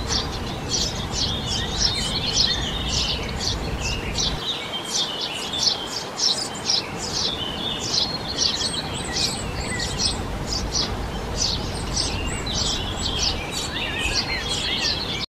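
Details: Eurasian tree sparrow: dense, continuous chattering of short, high chirps, many overlapping and repeated without pause, over a steady low rumble in the background.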